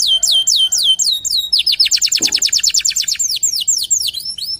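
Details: Local canary song of repeated descending whistles, then a rapid rolling trill of evenly spaced notes and further swooping, slurred phrases.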